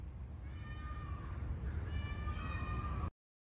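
A peacock gives drawn-out, nasal, cat-like wails, two in quick succession, over a steady low rumble of wind or handling noise.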